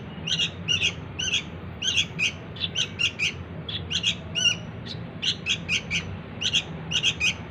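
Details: Sooty-headed bulbul chick's begging calls used to lure its parents, with sharp, high, slightly buzzy chirps in loose clusters, pausing briefly midway before resuming in quick runs.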